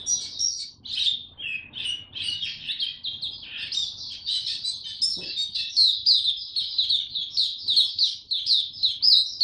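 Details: White-eye, young and caged, whose song is maturing, 9 February 2022: varied twittering with some lower dips early on, building into a steady, fast sequence of piercing, slurred chirps.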